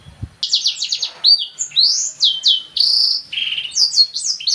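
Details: Black-throated canary delivering a lively high song: quick downslurred chirps, rising and falling whistles, buzzy held notes and trills, with a brief low thump at the start.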